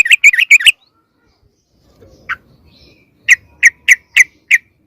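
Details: Sooty-headed bulbul lure call meant to attract other birds: a quick burst of five chirps, near silence with one lone chip, then five clear chips spaced about a third of a second apart.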